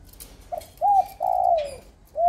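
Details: A very tame, big, handsome red-eyed spotted dove cooing: a short soft note, then two longer mellow coos, the second drawn out and falling, and another coo starting at the end.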